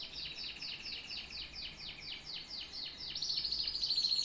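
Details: Canary song of fast, evenly repeated downslurred notes, about fourteen in four seconds, ending in a higher sustained buzzy trill.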